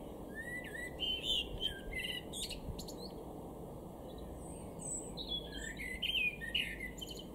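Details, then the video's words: Male Common Blackbird singing in a garden in Weener, East Frisia, northwestern Germany, in April 2022; varied warbled and fluting phrases with twittering endings, over steady low background rumble and noise. "Amsel (Männchen)"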